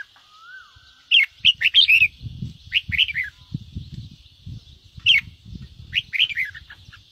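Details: Red-whiskered bulbul, a singing bird kept to stimulate other birds to sing: short bright warbled phrases of two to four notes in bursts, with pauses between, over a steady high hiss and low rumbling thumps.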